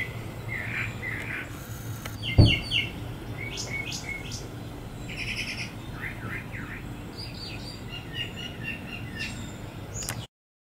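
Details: Two brown thrashers singing together in a Bradford pear, 23 February 2018: varied bright phrases, many notes doubled or tripled in quick succession, some buzzy and some clear, with one sharp knock and faint background hum.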